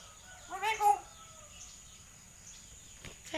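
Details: Common hill myna uttering a brief human-like syllable, a short harmonic voiced sound with wavering pitch, followed by quiet background and a faint sharp sound at the end.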